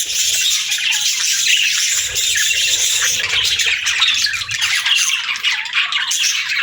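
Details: Several budgerigars (Melopsittacus undulatus) chatter and chirp continuously, a dense mix of high, scratchy warbles and squawks with no pauses.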